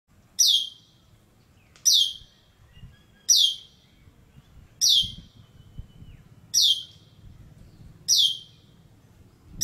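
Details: An Asian glossy starling (Aplonis panayensis) at its nest site in Malacca, Malaysia, gives six sharp, high, downslurred whistles, one about every one and a half seconds, over a faint low background rumble.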